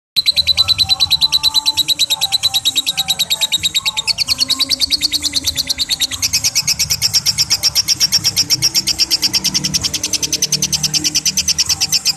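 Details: Lovebird giving its long "ngekek" chatter, played as training for young lovebirds to chatter at length: an unbroken run of fast, high, scratchy pulses, several per second, holding steady for the whole stretch over a faint low hum.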